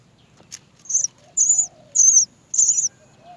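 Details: Nestling Great myna crying to be fed by its mother: four shrill, high, slightly descending squeaky notes, each about a third of a second, repeated roughly every half second against a quiet background.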